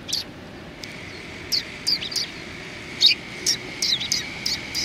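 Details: A group of sparrows outside a cultural hall, 7 February 2020, welcoming people: short, bright chirps dropping in singly and in pairs at irregular intervals over low background noise.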